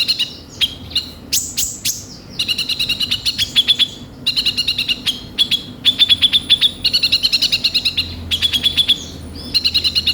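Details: A sunbird, recorded as a lure call to prompt other birds to sing, gives high, thin trills of rapid ticking notes in short bursts with sharp chips between phrases. No other sounds stand out.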